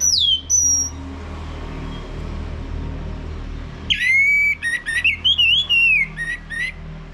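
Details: Male Orange-headed Thrush played to prompt other caged birds to sing, loud clear whistled phrases, a high descending whistle at the start, then after a pause a fast run of rising and falling whistled notes with low background hum.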